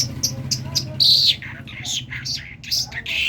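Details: Talking common myna from Kerman: sharp chirps, a strong whistled note, then a tumbling series of squeaky, slurred syllables.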